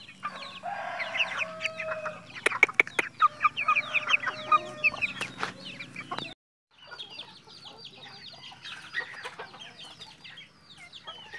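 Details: Captive red junglefowl in Mukomuko, Bengkulu, Indonesia, producing a busy chorus of high, falling chirps and sharp clicks, a brief silent break, then softer chirping continues.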